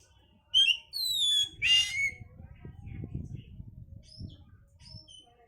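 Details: Oriental magpie-robin song played to stimulate breeding condition: a few bright whistled notes and a harsh buzzy burst in the first two seconds, then only faint low background noise.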